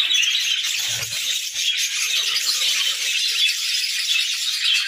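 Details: Several pet budgerigars singing together in the morning, a dense, continuous scratchy chatter of overlapping warbles and chirps, high and busy throughout with no pauses, a brief low thump near the first second.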